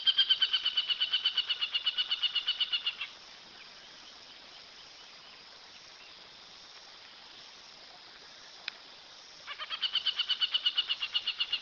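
Aplomado Falcon giving a fast, harsh, high-pitched chatter of evenly spaced notes for about three seconds, a quiet pause, then the chatter again.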